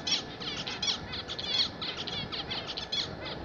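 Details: Pet zebra finches singing steadily: a dense run of rapid, buzzy, nasal chirps and tinny stacked notes repeated without pause across the whole stretch.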